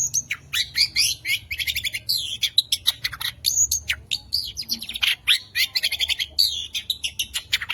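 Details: Long-tailed shrike from a singing contest delivers a song packed with mimicked bird calls and loud shooting bursts, meant to stir rival shrikes to sing. Rapid scratchy chatter is broken by clear piercing whistles and sharp ticks.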